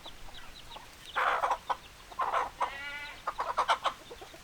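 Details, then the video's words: Hens clucking in short bursts and rapid runs, with a rough squawk and a brief wavering cackle in the middle, over a constant hissing background. "Chicken Sounds Noises Hens Clucking Roosters Crowing"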